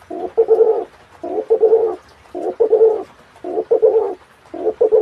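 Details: Spotted dove crossed with pigeon, cooing steadily. Low, husky double-note coos repeat about once a second in an even rhythm, with no other sounds.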